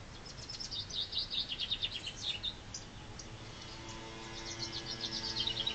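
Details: A chaffinch sings in spring, a quick cascading trill of high chirped notes, followed later by another fainter phrase starting up, over a low steady hum.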